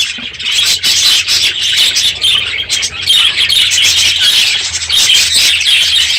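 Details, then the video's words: Many budgerigars kept in an aviary, noisy on a morning late in the breeding season; constant shrill chatter with clearer whistled notes rising out of the flock sound. "My Budgies Today - NOISY birds this morning!"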